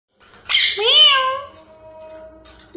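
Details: A pet parrot indoors gives a harsh burst, then a long whistled tone that rises, wavers and holds steady before fading. A person's voice follows at the very end.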